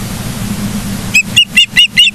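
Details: Brief sequence from an osprey nest in Charlo, Montana, 09/07/2023, 09:42: low hum, then five clear, high whistled chirps in rapid succession.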